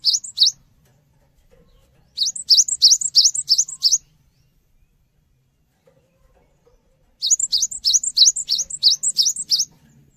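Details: Lure song of a cinereous tit meant to draw a quick response from other birds: three bursts of rapid, bright, repeated two-note phrases, about three per second, separated by silent gaps of two to three seconds.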